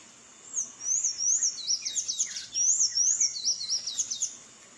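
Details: Wild Sayaca tanager in song out in nature, giving high-pitched, squeaky slurred notes strung into fast chattering phrases, about two or three notes per second, continuing steadily with one short break. Quiet background otherwise.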